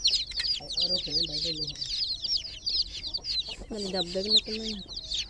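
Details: Chicks in a water pool chirp constantly in a thick chorus of shrill, downward-sliding peeps, while a person talks briefly twice in the background.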